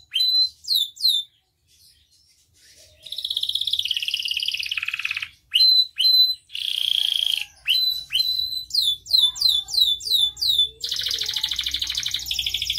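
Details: Canary singing a tutor song with sharp upswept whistles, long raspy rolling trills, and runs of repeated descending slurs, broken by pauses, over a soft low background rumble.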